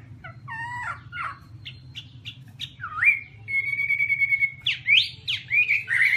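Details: Chinese hwamei sings varied phrases: scattered chirps and a down-swooping slur, a long steady whistled note, then loud rising, swooping whistles; a faint low hum lies in the background.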